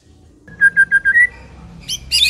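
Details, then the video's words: Song of a white-rumped shama, played to lure other shamas: five quick clear whistled notes on one pitch ending in a short rising slur, followed by high harsh rasping notes. "80% COCOK untuk memikat murai batu AGAR LANGSUNG NYAUT dan GACOR"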